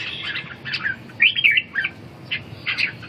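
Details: Red-whiskered bulbul at a caged-bird singing contest in Ha Dong, Vietnam, round four: chattering, slightly harsh warbles in short bursts, one louder clear whistled phrase in the middle, other birds faintly audible behind.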